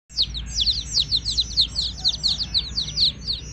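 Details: Baby chicks of a domestic hen chirping busily: rapid, high, downward-sweeping peeps overlapping in a continuous stream, about two per second, with a low steady hum underneath.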